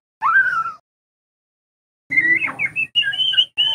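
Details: White-rumped shama lure song to help juvenile birds learn; a falling whistle, a pause, then a long rich warbling phrase of steady and slurred whistles.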